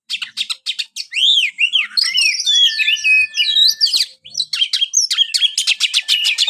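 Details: White-rumped shama, a caged songbird, giving a varied song: a series of sharp clicks, looping arched whistles, a long steady whistle, then fast rattling high notes.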